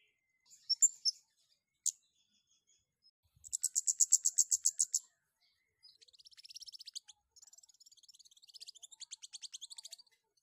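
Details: Long-tailed shrike in breeding condition, a lure recording meant to stir song: a few high sharp chips, then a loud rapid rattling trill, followed by softer fast buzzy chattering runs, very high-pitched throughout.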